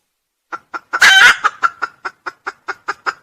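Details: Lure recording of a crowing red junglefowl. Three quick notes open into a single loud, harsh crow, and a steady string of about ten short, sharp notes follows.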